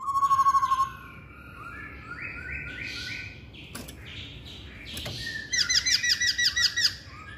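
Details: A level whistled trill from a masked laughingthrush, then a series of rising stepped notes. After two sharp clicks there is a fast burst of bright, repeated chattering notes.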